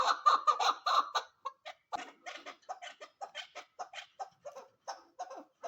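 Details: Female chukar partridge giving loud, rough chuckling notes in a fast burst, then a looser run of quicker, softer clucks at uneven intervals, about three to four per second.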